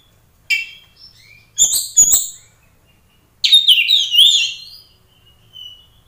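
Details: Oriental magpie-robin in full song, used as a lure to provoke a fighting response from other magpie-robins. It gives three bursts of loud whistled and buzzy notes with sharp broadband clicks, separated by short silences over a faint low hum.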